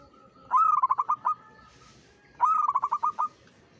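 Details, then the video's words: Zebra dove of the local perkutut type, singing vigorously: two phrases, each a short rising note followed by a rapid run of about eight soft, pulsed coos, the second phrase starting about two seconds after the first, in a quiet setting. "SUARA PERKUTUT LOKAL URAA UMUM GACOR NGAYER"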